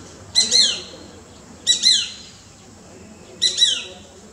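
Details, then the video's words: A Shikra visiting in the morning, calling from a tree opposite a balcony, gives three shrill, nasal two-part calls. Each is a sharp note slurring downward, spaced about every one and a half seconds, over a quiet background. "Shikra Calling"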